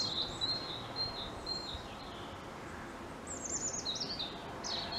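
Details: Treetop European robin song: sustained high thin whistles, then a cascading tumble of rapid descending trilled notes and a final bright flourish, with continuous low background hiss.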